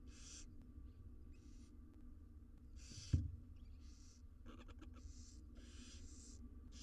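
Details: Hoarse hissing screeches from wild barn owl nestlings being fed in a nest box, Israel, alternating with a sharp knock and rapid scraping clicks of movement, all above a low hum.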